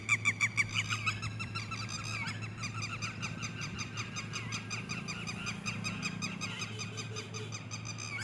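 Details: Red-wattled lapwing chicks calling: fast runs of thin, high peeps, about three a second, layered and overlapping, with a steady low hum underneath.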